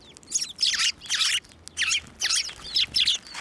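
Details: Sparrows fed from a hand at a Tenmangu shrine in March 2024: loud, harsh, chattering chirp bursts in quick succession, with a short gap in the middle.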